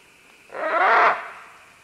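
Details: Green-winged macaw, one of several descending along vines: a single loud, harsh, grating squawk of about half a second, rising in force and then cut off, against a quiet background.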